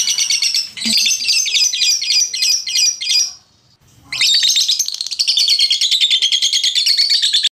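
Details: Lovebird singing, used to rouse lazy lovebirds: loud continuous high chattering trill of rapid pulsed notes, broken by a short pause near the middle, then resuming long and unbroken.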